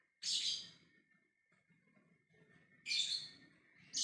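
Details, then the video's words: Lovebird giving its ngekek call to summon other birds: harsh, shrill screeches about half a second long, one near the start and a second near three seconds, with a third beginning at the end, over a faint steady hum. "Love bird ngekek memanggil yg lainnya"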